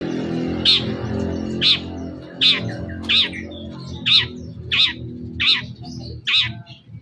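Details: Long-tailed shrike in a lure recording meant to provoke a reply: eight short, harsh, rasping notes repeated at a steady pace about every eight-tenths of a second over a low, constant background hum.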